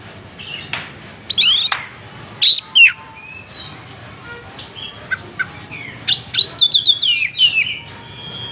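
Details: Singing Oriental magpie-robin with its tail fanned out; scattered loud chips and whistles, then a rapid string of descending whistled notes toward the end, delivered in lively, varied bursts.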